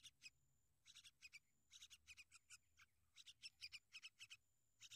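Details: Sooty-headed bulbul protecting and caring for its young: rapid bursts of short, harsh chattering notes, some paired and some in quick runs, with a faint low rumble beneath.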